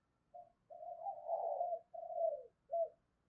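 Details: Spotted dove cooing in the early morning to provoke fighting and lure, heard quiet and muffled: a short note, a long drawn-out blurred coo, a second coo and a brief final note, over faint low rumble.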